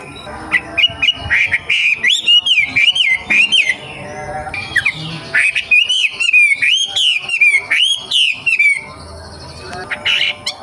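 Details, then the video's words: Forest-dwelling young wambi delivering two long runs of rapid, rolling whistled notes that swoop upward and downward, with a short gap between the runs. "KICAU WAMBIE MUDA HUTAN"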